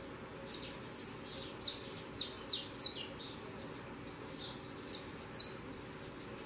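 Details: Saffron finch fledglings leaving the nest and flying: a busy series of high, thin falling chirps, fast and uneven, bunched in the middle with scattered notes later, over low steady hum.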